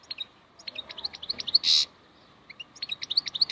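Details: Wild European goldfinch singing quick, high, twittering chirps in loose bursts over a steady background hiss, with one loud harsh buzzy note in the middle.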